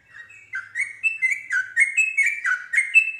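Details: Repeated rising and falling whistled phrases from a yellow-vented bulbul, about four per second, clear and bright, sung to provoke other bulbuls into answering.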